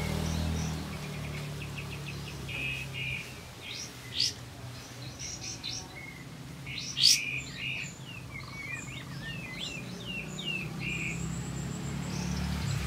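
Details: Olive-backed white-eye in full song, intended to spur silent white-eyes to sing; rapid high chattering phrases with buzzy notes, two sharp piercing calls, then a string of swooping whistles, low rumble throughout.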